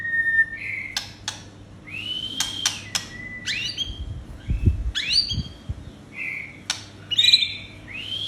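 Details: White-rumped shama song played to provoke aggression in captive birds: clear whistled notes around mid pitch, sharp rising and falling sweeps and brief clicks, phrases spaced irregularly, with a low hum and some low thumps.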